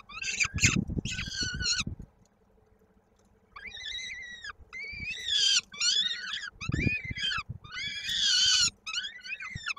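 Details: Peregrine falcon nestling in Koszalin, Poland, 16 May 2022, foot stuck in a beak while being fed. Screechy calls with low scuffling thumps, then a quiet pause, then renewed strained wails.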